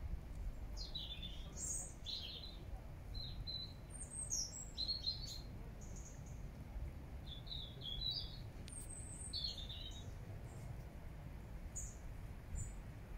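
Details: Several bursts of high, sharp twittering and squeaky chirps from park birds in Regent's Park, London, during September 2024, arriving in irregular clusters every second or two across the whole stretch, with a continuous low rumble underneath.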